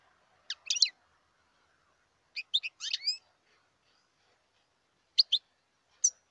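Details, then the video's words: Wild European goldfinch giving scattered clusters of sharp, high chirps and short slurred notes, some sweeping downward, with pauses between and quiet surroundings. "تغريد الحسون البري"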